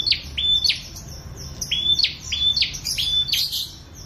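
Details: Prenjak song: a repeated phrase of a sharp upslurred note followed by a flat, thin whistle, given about every 0.6 to 0.7 seconds over steady low background noise.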